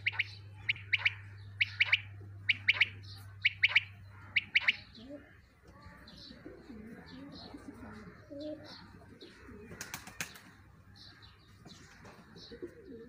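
A quail gives short, high chirping notes in quick pairs and triplets for about five seconds, then fainter scattered notes, over a steady low hum.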